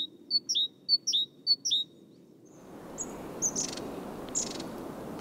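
A Great Tit repeats a bright two-note see-saw phrase three times in two seconds, then steady background noise rises with a few thin high chirps.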